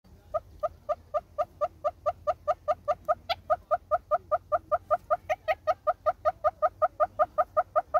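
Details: Southern red-billed hornbill in South Africa giving a long run of hollow, clucking notes, rapid and evenly spaced at a steady pitch, over a faint low rumble.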